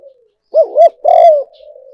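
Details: Spotted dove decoy call for luring: a faint low coo, then two loud arched hooting notes and a longer, drawn-out falling coo, followed by a soft trailing murmur.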